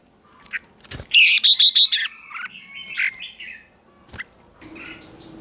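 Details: Red-whiskered bulbul singing as a lure for wild bulbuls: a loud, rapid run of ringing notes, then softer wavering slurred whistles, with sharp clicks and a low hum late on.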